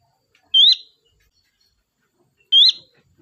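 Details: Lure call of a sooty-headed bulbul, meant to draw in a flock: two short, clear whistles, each rising and ending in a quick flick, about two seconds apart, with silence between.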